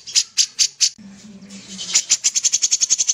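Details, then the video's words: Four loud, evenly spaced dry clicks from a sooty-headed bulbul in full voice, a short hum-filled gap, then an accelerating rattle of rapid ticking notes to the end. "suara burung kapas tembak gacor"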